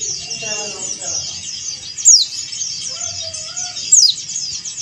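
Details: A male yellow-breasted white-eye from Bali calls toward a rival with two sharp falling whistled sweeps about two seconds apart over high twittering, while a person talks softly at the start.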